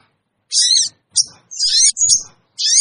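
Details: Sooty-headed bulbul lure calls for wild birds: five short, harsh, high-pitched squealing bursts separated by pauses, with faint low rumbling underneath.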